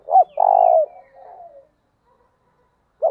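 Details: A spotted dove coos to lure wild doves. A short hooting note is followed by a long, steady, low coo that trails into a softer, fading tail. The next phrase begins at the end.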